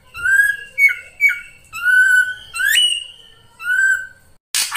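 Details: Singing Ashy drongo, known as srigunting krantil saeran: a varied run of long level whistles, quick downslurred notes and a steep upward squeal, ending with a sudden burst of broadband noise.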